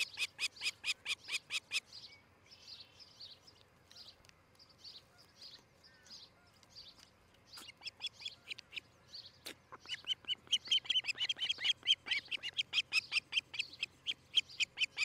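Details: Osprey at a nest in Charlo, Montana, on a morning nest camera, 13 July 2018: bursts of sharp, high, short chirps repeated rapidly, with softer, buzzier notes between the two runs and a quiet rural background.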